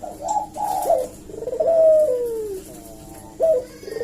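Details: Eurasian collared dove cooing vigorously as a lure for replies, rolling coos leading to a long downward-sliding note, with the next phrase beginning just after a brief pause.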